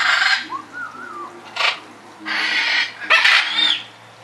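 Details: Hyacinth macaw, filmed while being introduced or paired with another bird, gives four loud, harsh, raspy screeches at irregular intervals, each under a second long, with quieter warbling between them.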